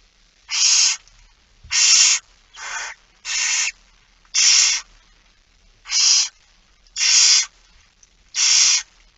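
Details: Begging barn owls at a nest feeding, Netherlands, 06:57 on 13 September 2019: eight short harsh hissing snores, each under half a second, repeated roughly every second with uneven spacing.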